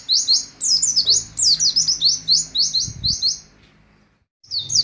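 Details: Caged Oriental white-eye delivering 'nembak' shooting song, quick high twittering notes in tight clusters about four per second, fading into near silence before a final short burst.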